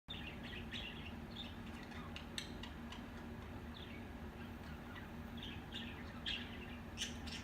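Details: Budgerigars making unusually weird sounds: quick, scratchy chirps and squeaky warbles traded over a low steady hum.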